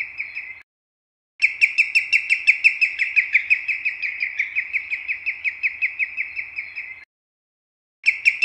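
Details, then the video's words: A Common Greenshank (Tringa nebularia) sings a long rolling series of clear, fluty whistled notes, about four a second, for five seconds before starting again; no other sounds. "青足鷸/Common Greenshank(Tringa nebularia)singing"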